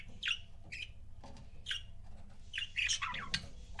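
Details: Soft, scattered chirps from pet budgerigar couples, a few single notes then a busier cluster of squeaky calls, set against a fairly loud low rumbling background.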